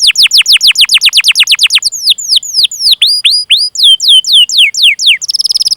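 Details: Canary in long 'cuit cuit' song for luring young or silent canaries: quick repeated downward sweeps, then slower looping whistles rising and falling, ending with a brief fast buzzy trill.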